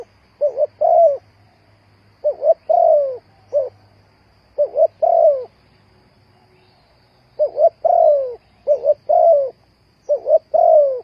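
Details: Lure call of a spotted dove for trapping: repeated groups of short paired coos ending in a long descending note, recurring every couple of seconds, low-pitched and soft.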